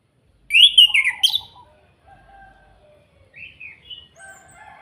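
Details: Orange-headed thrush giving kretekan song meant to provoke other birds: a loud opening burst of high, slurred whistles and chatter, then thin drawn-out whistles and short mid-pitched twittering phrases.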